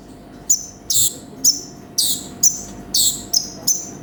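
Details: Sunbird, called konin, gives loud, sharp, very high chips alternating with short buzzy bursts, roughly one per second, in a lively full song.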